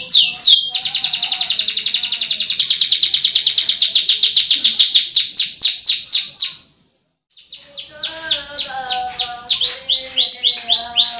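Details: A Russian-type canary kept in Pemalang, Central Java, Indonesia, sings a long, fast, high rolling trill, breaks off briefly, then resumes with quick rising chirps in rapid series over a faint lower warble.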